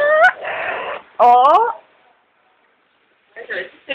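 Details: Amazon parrot kept as a pet saying hello in imitation of speech: two bright, strongly harmonic syllables with rising, wavering pitch, followed after a pause by softer, rougher voice-like sounds.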